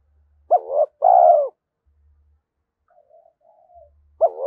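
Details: Spotted dove, 'thổ' voice style, calling to provoke a fight and bring wild doves to the perch. A full low two-part coo at the start, faint soft murmuring midway, then the next coo beginning at the end.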